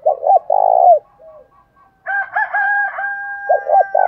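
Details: Spotted dove lure calls from a male and female bird, used to provoke fighting; low double coos and long throbbing coos at start and end, with a harsher, higher, buzzy call filling the middle.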